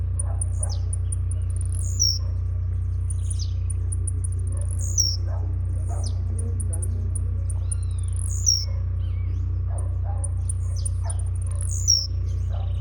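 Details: Singing-tournament blue-black grassquit, jumping style: four short descending buzzy phrases come roughly every three seconds among quick high ticking notes. A low droning hum persists beneath.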